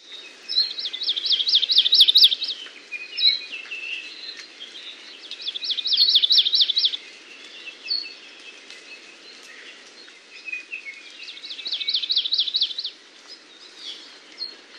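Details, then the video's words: Amakihi singing a fast, even trill of bright, repeated notes, delivered in three separate bursts of about two seconds each, with softer chips and faint background hiss between them. "Amakihi Song"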